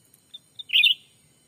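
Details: Black-capped bulbul call for luring wild birds during forest bird trapping in Sumatra; a few soft high pips lead into a single strong, bubbling two-part chirp.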